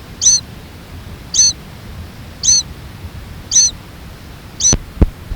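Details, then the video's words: Mourning Sierra Finch chick, just out of the nest, with downy head and undeveloped wings, perched on a rock wall near Putre, Chile, around 17 April 1994, repeating the same high, thin screechy note about once a second; parents nearby, father bringing food. "The little one is on top of the rock wall incessantly using the same little screechy tone. He's got downy head."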